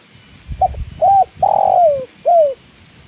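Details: Cooing of a spotted dove, called tekukur, with water sounds. A faint quick note leads into an arched coo, then a long downward-sliding coo and a last falling note. Low rumbling noise fills the background.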